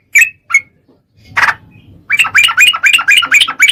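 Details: Yellow-vented bulbul (trucukan) lure recording used to provoke other birds into singing: two sharp whistled notes, a brief harsh burst, then a lively run of about a dozen quick chattering notes in rapid succession.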